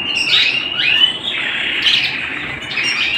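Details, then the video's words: Domestic canary singing indoors, a sustained high whistled phrase with quick upward and downward slides, flowing continuously with no pauses. "canary bird - canary singing - canary sounds - canary singing at home"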